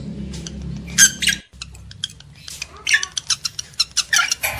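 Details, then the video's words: Lovebird calls aimed at arousing breeding males and females: a shrill squeaky burst, a brief pause, then quick sharp chirps and grating chatter with a low hum behind. "AUDIO PANCINGAN UNTUK MENAIKAN BIRAHI EMOSI JANTAN DAN JEBOL BIRAHI LOVEBIRD BETINA"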